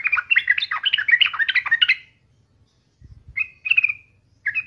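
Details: Energetic, chattering song of a sooty-headed bulbul, meant as daily lure to prompt other bulbuls to sing: a dense two-second burst of tumbling chirps, then short clear whistled phrases after a pause, with a faint low rumble underneath.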